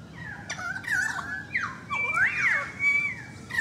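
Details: Currawongs calling noisily near a balcony: dense, loud whistled glides, sweeping up and down and overlapping, with a sustained level whistle carrying through the second half.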